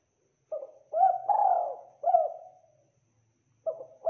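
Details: Spotted dove, known as tekukur, cooing clearly and thickly in a master training recording: one complete four-note cooing phrase, a pause of about a second, then the next phrase starting.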